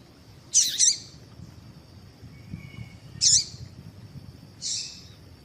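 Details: Female double-collared seedeater calling to set males singing; a quick doubled chip, then two more single high notes, the last softer and longer, over a low hiss and thin whine.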